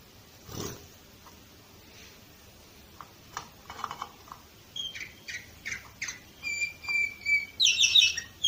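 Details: Canary in Varna, Bulgaria, 2018, singing indoors. A few faint clicks lead into a series of sharp, rising chirps about three per second, then a long level whistle and a bright, rapid trill at the close.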